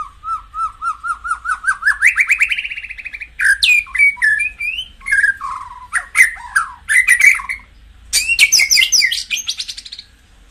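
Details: White-rumped shama song used to stimulate caged birds: a rising series of clear whistled notes accelerating upward, then varied slurred whistles, quick trills and rich warbled phrases, ending in a bright chattering flourish.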